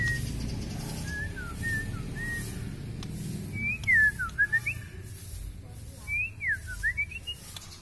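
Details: {'text': 'Kalimantan-type white-rumped shama with a record-long tail in heavy song: soft whistled notes at first, then louder swooping, sliding whistle phrases in two bursts, with a pulsing high hiss and low background rumble.'}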